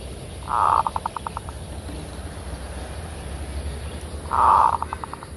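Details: Zebra dove, kerot song style used as a lure: two phrases about four seconds apart, each a dense low coo that breaks into a quick run of clipped, evenly spaced notes, with quiet low hum behind.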